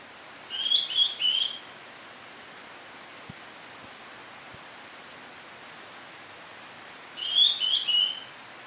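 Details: Newly caught medium greater green leafbird singing two short bursts of sweet high warbled whistles, about six seconds apart, with a few soft clicks and a faint steady high tone between.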